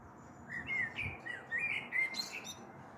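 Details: Common blackbird singing on an April evening, 21 April 2022, recorded from a balcony as a storm may be approaching; mellow warbled phrases around mid pitch flow into a higher squeaky twitter near the end.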